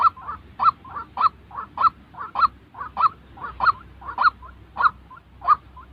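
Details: White-breasted waterhen calling, a recording meant to train decoy birds for trapping: repeated rough, nasal notes paired with quieter secondary croaks, a steady rhythm of about ten loud notes in six seconds.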